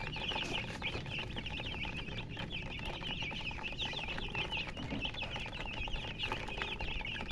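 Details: A crowd of baby chicks keeps up a busy, high-pitched chorus of short sliding peeps, with bursts of brighter cheeps standing out over a constant low rumble.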